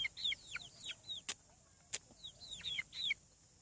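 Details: Shrill, falling peeps from hatching farm chicks come in quick runs, a few dropping steeply in pitch, with two sharp clicks in between.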